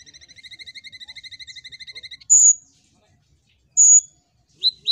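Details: Olive-backed sunbird singing as a lure for other birds: a fast buzzy stutter of evenly repeated notes for two seconds, then two long piercing high whistles and short squeaks.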